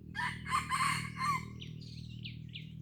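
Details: Red junglefowl from Aceh, Blang Ulam, Krueng Raya, giving a short, harsh, rough crow in several broken bursts lasting about a second, followed by thin, high, rising chirps from a smaller bird.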